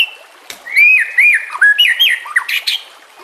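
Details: White-rumped shama training song over trickling water: clear whistled phrases that slur down and up, followed by a few short chips and a high buzzy note.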